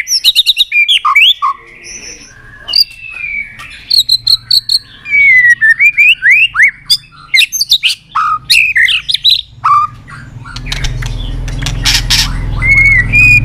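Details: White-rumped shama, stimulated into an excited state, pours out a rich, varied song of loud slurred whistles, sweeps and chattering notes. A rising hiss and rumble of background noise covers the last few seconds.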